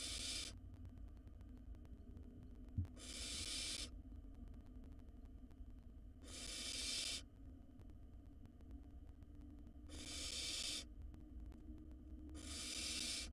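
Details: Barn owl nestling, wild, inside a nest box while devouring a mouse whole, gives five drawn-out rasping hisses spaced about three seconds apart; constant low hum underneath.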